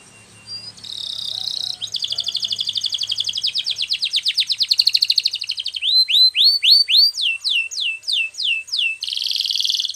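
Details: Canary training song: a buzzy trill, then a rapid rattle of rising notes, then a string of loud upswept whistles about four per second, ending in a dense buzzy roll.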